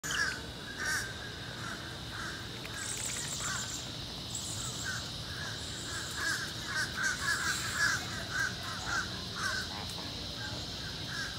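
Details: Flamingos at Busch Gardens Tampa on 25 August 2021, a flock giving repeated nasal honking calls in irregular overlapping bursts over a steady background hiss.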